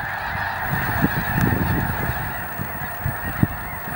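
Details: Flocks of geese landing at Cameron Prairie National Wildlife Refuge, Cameron Parish, Louisiana: a dense, continuous chorus of overlapping low honks from many birds, with a steady broad rushing hum beneath.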